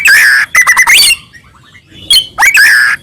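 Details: Shama song used as a lure to make other shamas sing and respond aggressively. Two long, steady whistles are broken by quick stuttering notes and a rising slur, with a pause of faint, soft notes between them.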